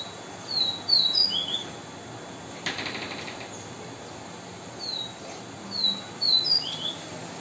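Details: Double-collared seedeater (coleiro) singing in the viviti style: two bursts of short, high whistled and slurred notes, each phrase falling slightly, separated by a pause, with a single sharp click between them over steady background hiss.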